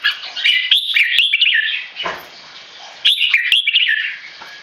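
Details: Caged tame male red-whiskered bulbul from Singapore, disturbed by humans during a keke training test. Two bursts of scolding, buzzy chatter come about three seconds apart, with a sharp tap between them.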